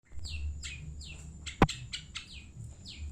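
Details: Long-tailed shrike of Madura origin singing: a series of quick, downslurred whistled notes repeated about every third of a second, with one sharp click midway and a low hum underneath.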